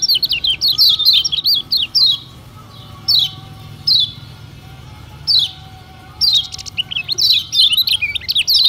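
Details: Provoking song of a lemon-bellied white-eye: a fast twittering opening, then isolated high, downward-slurred chirps at spaced intervals, ending in another lively burst. Faint tonal hum lies underneath.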